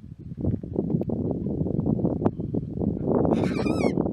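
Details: Pink cockatoo feeding on camel melons in Wyperfeld National Park, Victoria: a harsh, wavering screech rich in overtones comes near the end, over steady loud low rumbling from wind or handling.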